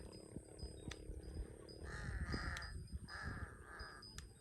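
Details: Large-billed crow in Cambodia, a bird common around water where it finds fish, worms and insects, locally called the thief-bird; two harsh, hoarse caws about a second apart, each under a second long, over low rumbling background noise.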